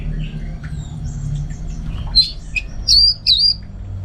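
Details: Orange-headed thrush kept at home in Singaraja, North Bali, giving a few loud, clear whistled notes near the end, each slurred and emphatic, after quieter faint twitters and a low hum.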